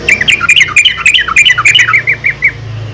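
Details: Busy, squeaky chatter from a female yellow-vented bulbul calling to other bulbuls, with rapid bubbling notes at varied pitches that slow to a few spaced chirps at the end.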